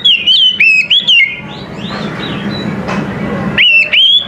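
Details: An Oriental magpie-robin sings in the morning. Bright slurred whistles at the start and end frame a stretch of low rumbling noise with faint distant notes.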